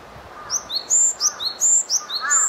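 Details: Japanese tit recorded on 12 April 2018 with a SONY α6500 camera; high, clear two-note phrases, a sharp upslurred note then a lower whistle, repeated rhythmically about four times, with faint lower calls from another bird.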